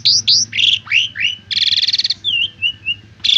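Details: Asian pied starling song used as a tutor recording for training young birds to sing: loud varied phrases of rising and falling whistles, harsh buzzy bursts and a rapid trill, all high-pitched.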